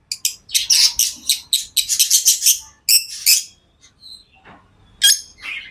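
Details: Pet lovebirds giving a rapid run of sharp, piercing chirps. A brief gap follows, then a couple of thin whistled tones and a final cluster of shrill squeaky notes.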